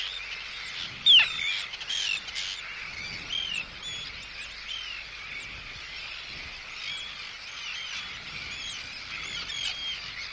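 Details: Close-up Arctic tern anxiety and threat calls directed at an intruder, with chick calls also present: a loud sharp cry early on, then a continuous layered chatter of many birds calling over each other.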